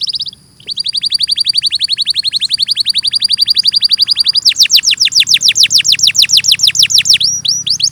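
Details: Canary song: a long, steady trill of rapid repeated notes shifts into slower, louder swooping notes near the end, recorded clearly.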